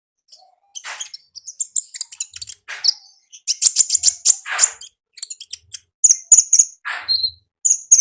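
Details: Konin singing in the wild, 'gacor ngalas' style: a dense, continuous chatter of very high squeaky chirps and rasping notes, ending in clear repeated whistled pips.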